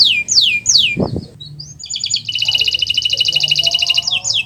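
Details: Canary master song for prompting quiet canaries to sing: two falling whistled sweeps, a short low thump, then a high rising note leading into a long rapid buzzy trill ending with falling whistles.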